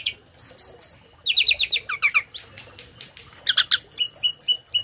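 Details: Song of a tame starling whose phrases are borrowed from other birds, used for training them: paired chirps, a sustained high whistle, dense trilled clusters and evenly spaced short tweets, with a faint hum beneath.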